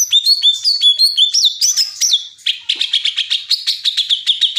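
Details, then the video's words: Greater green leafbird song made of bright whistled notes and sweeping slurs, then a fast, steady series of buzzy chattering notes repeated almost three times a second. "Cucak ijo bikin pedes kuping"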